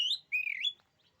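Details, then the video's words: Oriental magpie-robin giving two short whistled phrases, the first rising sharply, the second a long wavering slur dropping then rising. "kicauan kacer ini, bikin nyali kacer lain jadi ciut."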